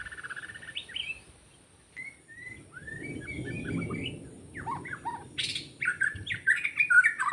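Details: Forest white-rumped shama, recorded during bird trapping: a sparse sequence of short whistled notes and quick slurred phrases with pauses between, a brief harsh burst, then livelier twittering near the end over quiet background hum.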